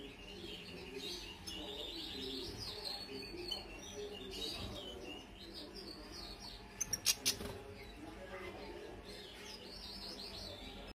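Eurasian siskin giving a fast, twittering song of high, warbled chirps in rolling phrases, with a few sharp clicks and a low background hum.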